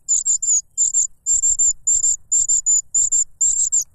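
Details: Cuckoo chick loudly begging while its foster father feeds it a butterfly; sharp, very high sibilant notes in clusters of two to three, repeated rapidly, with soft low thumps in the background.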